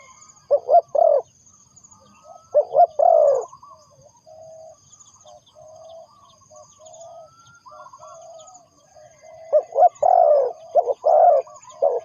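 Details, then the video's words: Spotted dove used as a trapping lure, giving a few loud hoarse coo phrases at the start and end, with softer quieter cooing between and a faint high ringing trill throughout. "The Sound Of Spotted Dove is good,Bẫy cu gáy bằng mồi trồn,เสียงนกเขาใหญ่,Suara Terkukur Pikat Tua"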